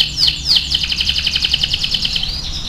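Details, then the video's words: Atlantic canary (kenari AF) in full song for training other canaries: two sweeping whistled slurs, then a long, very even, rapid trill of bright high notes that ends in a short upward whistle. "MASTERAN KENARI AF GACOR"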